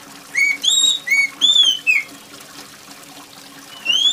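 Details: Oriental magpie-robin, loud and piercing, singing over rain sounds: a quick series of five clear whistles alternating low short notes and higher drawn-out slurs, then a pause and one rising whistle.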